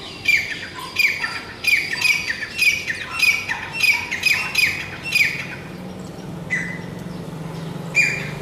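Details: Grey francolin (teetar) calling loudly with harsh, high, repeated squawks in an uneven rapid series, about eight notes. The calling fades to a few scattered notes, with a low hum underneath.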